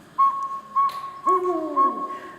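Northern Saw-whet Owl: clear, even whistled toots on one pitch, about two per second, with a lower voice sliding down underneath partway through.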